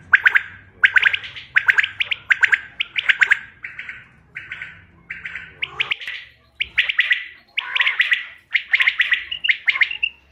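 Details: A common quail, recorded as a quail sound for hunting on 5 June 2025, gives harsh, rasping chirps in quick bursts, roughly one every two-thirds of a second, with a faint low hum early on.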